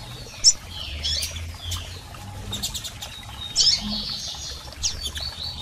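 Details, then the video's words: Double-collared seedeaters, male and female, calling to stimulate a male: scattered sharp high chirps and short descending squeaks, loudest near the start and around three and a half seconds. "PIADOS de Coleiros Fêmeas e Machos Para Foguear Seu Coleiro!!!"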